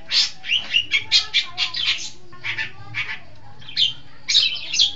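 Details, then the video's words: Long-tailed shrike singing on a training lure recording, a dense run of rasping, chattering high phrases with brief gaps, over a quiet low background hum. "Masteran Suara Pentet Cendet"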